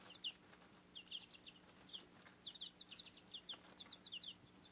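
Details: Backyard chicks, almost grown, kept with their Cochin mother hen on fodder, give a steady stream of high, short peeps in quick runs, some doubled, with brief pauses between bursts.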